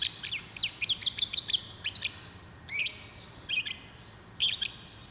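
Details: Lovebird chirping, used as a lure to prompt another lovebird to sing: clusters of sharp, high chattering chirps in short bursts separated by brief pauses.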